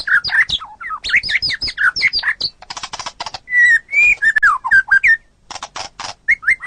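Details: Master-recording song of a white-rumped shama for training songbirds: rapid jumbled whistled phrases, dry clicking bursts, and several long, clear, level whistles, with brief silences between sections.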